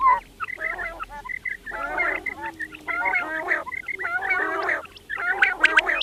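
Several quail chatter together in bursts of harsh, nasal, overlapping notes, with short clear piping notes between them.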